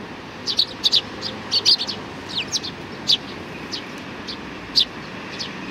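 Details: Sparrows at a Tenmangu shrine in Japan, 22 May 2019, give thin, high chirps, dense at first and then spaced out, over a steady background hiss.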